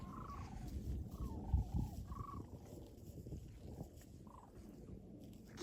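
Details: Distant sandhill cranes, barely visible far off over a farm pasture on a frigid -18°F sunny day, give short, rolling, rattly bugles in scattered bursts over steady low wind rumble; cattle nearby.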